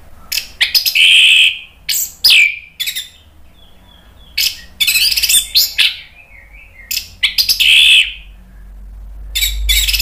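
Orange-headed thrush singing rich, varied phrases in rapid bursts, with high whistles and chattering notes separated by short pauses.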